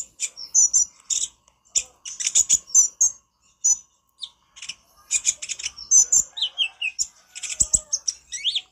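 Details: Master song for training birds by an olive-backed sunbird (konin), loud and talkative: bursts of shrill high chips and trills, a short lull, then quick descending slurred notes and renewed chatter.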